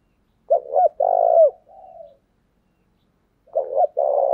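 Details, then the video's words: Lure call of a spotted dove, in the thổ voice style, meant to provoke wild doves: a loud two-note lead-in and a long, vibrating coo, a soft trailing note, then the phrase starts again. "tiếng cu gáy mồi chuẩn thúc vầy bổi nghe ức chế gáy liền"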